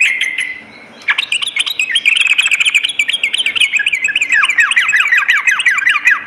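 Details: Sooty-headed bulbul at night pouring out a loud, continuous chatter of rapid notes that shift into quick downward-slurred chips, hardly pausing.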